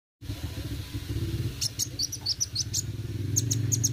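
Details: Sunbird (kolibri wuling) singing in the chatty 'gacor roll tembak' style: bursts of very high, thin, sharp notes fired in quick runs after a quiet start, over steady low rumbling background noise.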